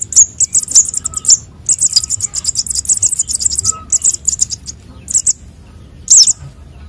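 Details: Sunbird chicks of the konin and sogon kinds, calls used as a lure: dense runs of very high, thin chirps in quick twittering bursts, broken by short pauses and a few louder sharp down-slurred notes.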